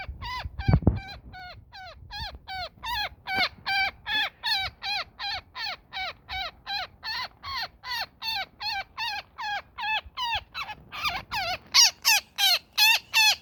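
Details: A netted woodpecker being freed keeps up a long series of sharp, descending screeches, about two or three per second, growing louder and shriller toward the end, with a brief thump near the start.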